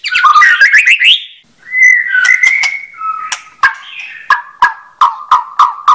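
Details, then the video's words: White-rumped shama song opening with a fast rising warble, followed by a long steady whistle, then a row of short clipped notes repeated about every third of a second. "Kicau Burung Murai Batu"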